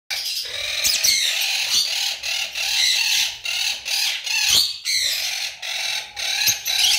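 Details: A pair of lovebirds giving continuous harsh, high, scratchy chattering in dense bursts with brief pauses, a few sharp squeaks standing out.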